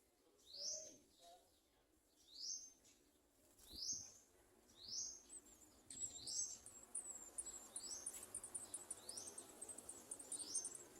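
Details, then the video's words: Garden sunbird at the nest, hunting insects in a small jar to feed its young: high, thin, rising buzzy sweeps about every two seconds, then a rapid run of sharp high chips over steady background hiss. "Garden sunbird Birds trying to find insects in a small jar to feed their babies"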